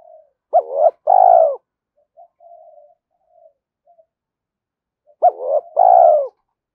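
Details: Spotted dove cooing, a sound used to excite and train decoy birds: two deep phrases, each a short rising note, a brief hoot and a long drawn-out coo, with soft murmuring notes between them.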